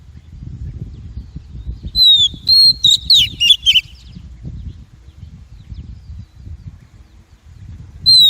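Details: Female Oriental magpie-robin call, played to excite and train males and to trap birds: a short burst of high sliding whistles and chirps over steady low rumbling background noise, with another whistle at the end.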